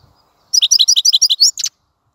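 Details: Short burst of European goldfinch song: about ten quick, bright twittering notes in an even run, ending with a brief buzzy note.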